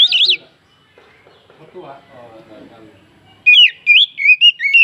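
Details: An oriental magpie-robin sings to provoke other birds into song: a short burst of high, twisting whistles, a quiet stretch with faint murmuring, then a lively series of loud, varied whistled notes in rapid succession.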